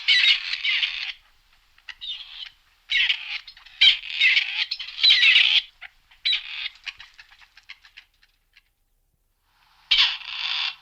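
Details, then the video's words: A grey partridge (Perdix perdix) calls in harsh, grating, creaky bursts about a second long, in an uneven series with short gaps and a longer pause before the last. "Как поёт Серая куропатка"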